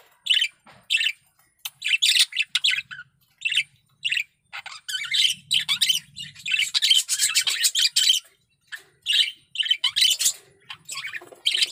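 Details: Male budgerigar in heavy breeding condition performing a loud, sustained chattering warble: rapid scratchy chirps and squeaky notes in dense runs with short gaps, a soft low hum at times.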